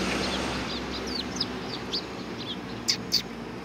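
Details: Sparrows gathering at food at a Tenmangu shrine on 17 September 2018. Many faint, short high chirps scatter through the clip over a steady hiss. Two louder, sharper notes come near the end.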